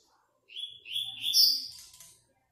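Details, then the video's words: A captive double-collared seedeater from Praia Grande, Brazil, singing in an online song contest, gives a quick, bright phrase of high whistled and buzzy notes lasting under two seconds, rising toward a sharp trill. "TORNEIO VÍDEO WEB COLEIRO"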